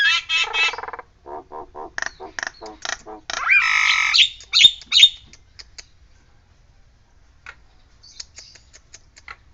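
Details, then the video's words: Nias hill myna mimicking a siren: a rapid series of short rasping notes builds into a loud, dense, grating blast, then fades to scattered soft clicks and near silence. "JALAK NIAS NEMBAK SIRINE"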